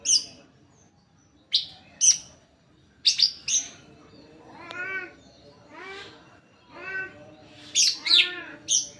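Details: Greater green leafbird song played to lure other leafbirds into singing: sharp high chirps and short bright notes in quick bursts, with lower warbled harmonic phrases between them.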